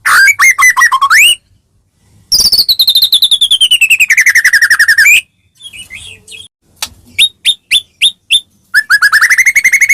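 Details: Murai batu from Medan, a white-rumped shama, in loud vigorous song used as a lure to provoke other shamas; long sweeping whistles, rapid trills and sharp repeated chirps with short silent gaps.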